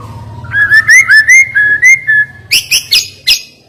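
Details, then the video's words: White-rumped shama song with sharp notes: a series of clear, looping whistles rising and falling at an even pace, followed by four loud, high, piercing chips. "Ngeri Isian Murai Batu Ini Nembak Tajam"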